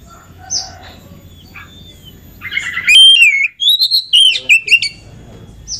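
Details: Oriental magpie-robin female lure song to heighten males' excitement: faint distant chirps over low hum, then a loud two-second flurry of whistled and buzzy notes rising and falling.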